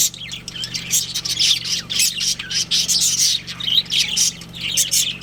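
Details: Continuous chattering from a budgerigar breeding pair, with dense, raspy, high warbles and squawks running almost without pause against a low, even background hum.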